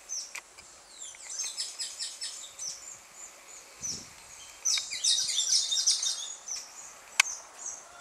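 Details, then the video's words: Carib grackle singing at dusk in Martinique: bursts of high, squeaky, metallic chattering notes, the loudest run in the middle, with a sharp click near the end and a quiet hiss behind. "chant du merle noir au crépuscule"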